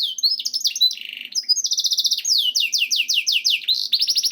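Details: Canary song played to lure other canaries into singing: quick falling chirps, a lower steady buzzy roll, then a long run of rapid down-slurred notes ending in fast rising sweeps.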